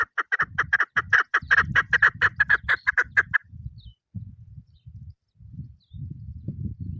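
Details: Chukar partridge female giving a quick string of clipped, clucking notes for about three seconds that then stops. Low thudding noise continues in bursts afterward.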